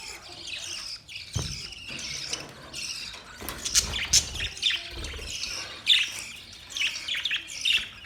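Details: Group of budgerigars chirping in steady chatter, scratchy warbling broken by sharp high clicks and squeaks, a few louder bursts toward the end.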